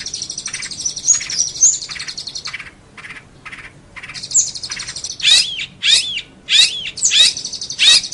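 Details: Long-tailed shrike, training recording for songbirds: varied high chattering phrases broken by short gaps, then a series of loud, sharp downslurred whistles repeated about once every half second.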